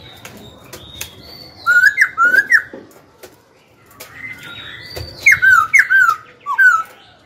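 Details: Pet Black-throated laughingthrush, a young bird, sings to goad wild-caught rivals into fighting and tutor young birds: two bursts of loud, looping, slurred whistled notes with sharp upward flicks, separated by a quiet pause.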